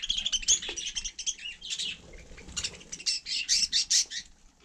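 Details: Budgerigar in frost on snow, warbling in dense scratchy chirps that break into evenly spaced bright notes near the end, over a quiet background.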